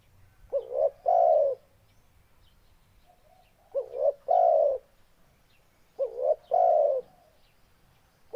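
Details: Spotted dove cooing in three evenly spaced phrases, every one built from two short curling notes leading into a sustained low coo.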